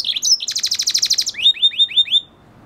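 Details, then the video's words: F1 hybrid of red hooded siskin and canary singing: a rapid buzzy trill of repeated high notes, then five loud rising slurred whistles in even succession, ending abruptly in quiet. "Red hooded siskin singing | Cardenalito venezuela cantando"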